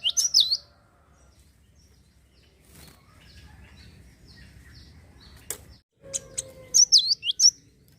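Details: Java sparrow song used to stir other birds into singing: short bursts of high, twisting chirps open and close, separated by a long near-silent gap with faint clicks and a low hum.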